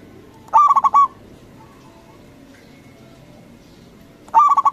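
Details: Loud local zebra dove singing as a lure so rival doves answer at once. Two phrases of rapid, pulsing coos nearly four seconds apart, with faint background hum.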